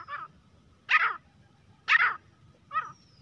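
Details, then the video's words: A grey francolin gives four harsh, rasping, buzzy notes, the middle two loudest, spaced about a second apart, over a faint low hum. "teetar ki awaaz-तीतर की आवाज | grey francolin partridge calling voice"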